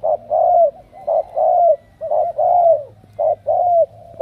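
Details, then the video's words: A Spotted dove from Cà Mau, Vietnam, chosen as a strong cooer, gives close, full coos: brief notes each followed by a longer descending hoot, in a rhythmic pattern about once a second. "Tuyển đồng siêu gù"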